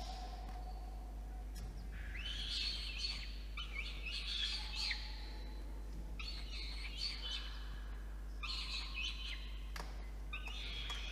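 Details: Peregrine falcon chick in a nest box atop a water tower in Orange, NSW, Australia, begging as an adult male brings dinner at 8:56 PM on 5 November 2021; harsh, rasping wails come in repeated bursts of about a second with short gaps.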